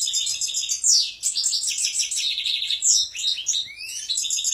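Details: Lively goldfinch song, high and sparkling, built of quick twitters, metallic trills and brief rising whistles, with short bursts of chatter following one another about every two seconds.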